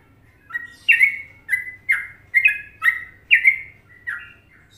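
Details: Trucukan-style song of an Indonesian sooty-headed bulbul: seven or eight strong whistled notes, each with a sharp onset and slight downward slur, spaced roughly half a second apart against a quiet background.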